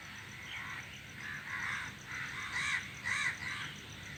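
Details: Crows in a flock perched in a tree give a run of hoarse caws, quieter at first, then two louder calls near the end, about two per second, with a soft background hiss.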